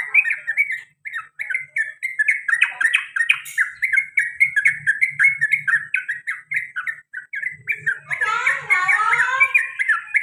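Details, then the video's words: Male sooty-headed bulbul kept as a pet, pouring out a long rolling sequence of short 'cuk' chirps, ending in a burst of overlapping excited twittering notes over a faint hum. "CUK CUK CUK TRUCUKAN ROPEL PANJANG DAN GARUDA BER ULANG - ULANG"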